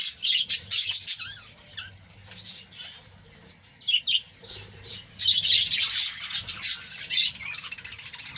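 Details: Budgerigars in a colony producing bursts of high chirping and squawking, a quieter middle section, then a dense run of overlapping chatter.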